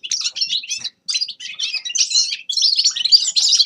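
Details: Short bursts of sparkling high twitter from a grey-crowned goldfinch, separated by brief gaps, ending in a louder, sustained run of trills.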